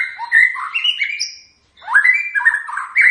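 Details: White-rumped shama song in two bursts: clear whistled notes stepping up and down, a thin high note, a brief pause, then more rich slurred whistles.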